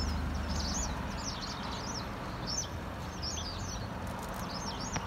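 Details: White wagtails gathering at an evening roost outside a convenience store at 17:50 on 5 October 2021, giving sharp, high chirping calls, several birds overlapping at a quick, irregular pace, over a steady low rumble of traffic.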